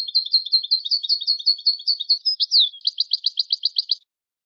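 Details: Song of a Moroccan goldfinch: about two and a half seconds of quick, high, liquid twitters, one sliding note, then a clipped, rapid trill repeated roughly a dozen times before stopping.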